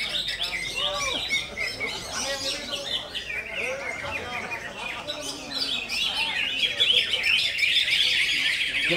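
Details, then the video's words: Greater green leafbird in konslet style, a long, restless chatter of sharp high notes and rapid trills, with softer curving whistles early on and the song swelling louder near the end. "CUCAK IJO KONSLET"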